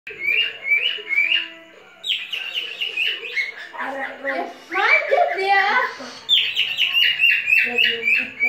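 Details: Captive male cockatiel whistling to court a female, chirpy rising notes repeated quickly at the start and end, with a man speaking Malay in the middle stretch.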